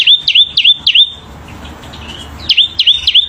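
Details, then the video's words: {'text': 'Selendang biru bird singing vigorously: loud, repeated swooping V-shaped whistles at a high pitch, about three notes per burst in two bursts separated by a short quiet pause with faint background hiss.'} "Burung Selendang Biru GACOR !!!"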